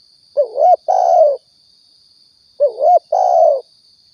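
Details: Spotted dove recorded in Riau as a lure for trapping and hunting doves, giving a two-part coo phrase twice, about two seconds apart: a wavering short note then a longer mellow hoot, with a steady high whine behind.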